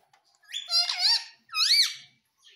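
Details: Pet parrot, said to speak 'Mummy' and 'Papa', indoors in a small room: two loud, harmonic, squawky utterances. The first wavers and the second arches up and down, with a short silence between them.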